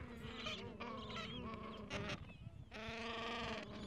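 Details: Gentoo penguin colony with chicks about two weeks old sheltering under the mother in cold wind; broken, harsh harmonic brays, then a long loud throbbing bray in the final second.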